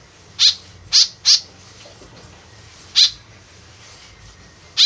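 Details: Harsh, buzzy notes of a white-breasted woodswallow used as a lure, a quick cluster of three followed by two spaced single notes, all short and high-pitched.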